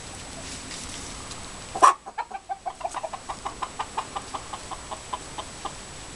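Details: White Leghorn chicken in a coop shared with Black Orpington and Ameraucana hens: a loud opening squawk, then a long run of short, evenly spaced clucks, about four each second, gradually fading.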